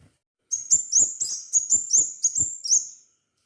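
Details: Crimson sunbird (sepah raja) in lively song: about nine piercing, very high chirps in quick succession over two and a half seconds, each a brief sharp note with a slight upward flick, no other sounds.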